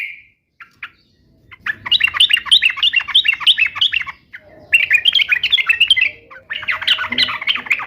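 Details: Sooty-headed bulbul in lively song meant to prompt other bulbuls to sing back: two brief notes, then long rapid runs of bubbly, warbling chatter in three sections broken by short gaps.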